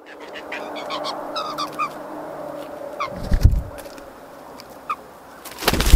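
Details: Blue Jays in a yard in Nova Scotia, Canada, give a quick run of harsh, honking notes early on, then single calls, over a steady low hum and a few heavy thumps.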